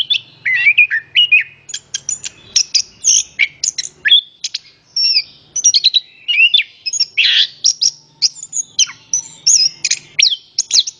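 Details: Eleven seconds of orange-headed thrush song, used to encourage other birds to sing: varied warbles, clicks and high whistles in rapid succession, over a faint low engine-like hum.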